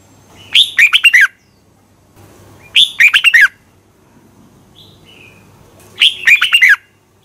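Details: Red-whiskered bulbul singing at dawn as a training decoy for contest birds: three bright phrases of five quick, rising-and-falling whistled notes, spaced around two and a half seconds apart, plus a soft thin whistle between.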